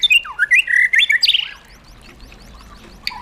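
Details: White-rumped shama, a caged bird, delivering a wild-style song burst: quick slurred whistles and rising sweeps lasting about a second and a half, then near quiet with one short closing chip.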